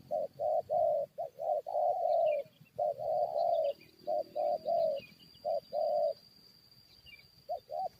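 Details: Spotted dove set against wild forest birds, cooing in clear bursts of short and long notes, pausing, then resuming, with faint high chirps of another bird and a steady thin whine.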